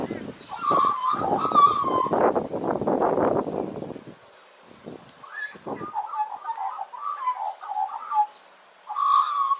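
Australian magpie singing a mellow, gurgling warble of rich, fluting notes, opening with a burst of harsh, scratchy chatter and ending in a clear rising phrase.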